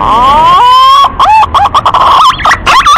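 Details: Male green pigeon calling a female: a long, rising whistled note held steady, then a quick chain of looping, warbled whistles with sharp upward flicks.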